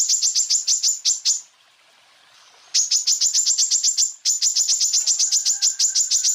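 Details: Full song bursts of a greater green leafbird used as a tutor for other birds: rapid series of sharp, high, clipped notes in long runs, broken by one brief quiet pause.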